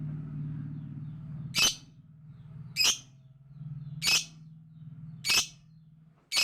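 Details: Loud lovebird chatter: five sharp, shrill squawks repeated roughly every 1.2 seconds over a steady low hum.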